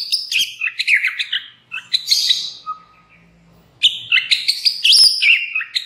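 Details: White-rumped shama singing as a lure to provoke other shamas: fast chattering high notes and trills, a thin steady whistle, a pause of about a second, then another energetic burst of varied phrases.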